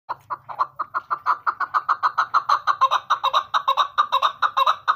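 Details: A female Chukar partridge (Alectoris chukar) gives a fast, steady run of hoarse clucking notes, several each second, sustained throughout with little else heard.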